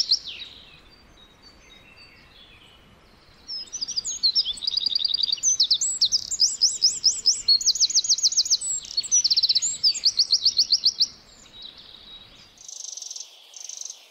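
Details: In the forest, a wren gives a few quiet notes, then bursts into a long, loud song of about seven seconds: varied high trills, rattles and piercing repeated notes, followed by a softer tail.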